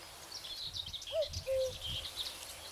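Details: Spring common cuckoo giving a single soft two-note cu-coo, falling slightly on the second syllable, over a backdrop of high twittering songbirds and low rumbling noise.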